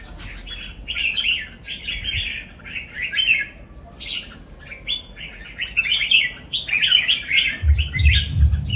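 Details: Red-whiskered bulbul of the type called chào mào cọp, singing a run of short, warbled, whistled phrases, each about half a second long, following one another quickly with brief gaps; faint low thumps near the end.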